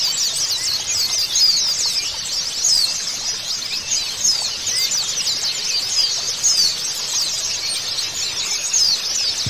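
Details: Therapy recording of white-eyes meant to start a silent captive bird singing. Many high, thin chirps and rapid slurred notes pour out without a break, a busy bright chorus with a faint low hum underneath.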